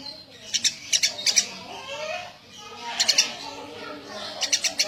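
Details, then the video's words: Eurasian tree sparrow giving short groups of two or three sharp high chirps, spaced apart over a faint background murmur. "Suara burung gereja gacor"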